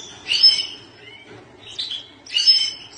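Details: Tinkling, twittery phrases from a European goldfinch, with two loud bursts of mixed chirps and trills joined by a softer sliding note.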